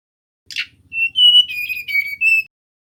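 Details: Male mangrove whistler song: a short rasping burst, a pause, then a string of pure whistled notes that fall slightly and rise on the last one, over a faint low hum.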